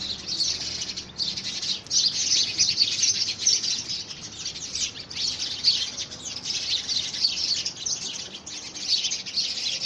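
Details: House sparrows at war over a homemade nest box, February 2017: an unbroken, busy wall of high, thin chirps and twitters, fairly even in loudness throughout.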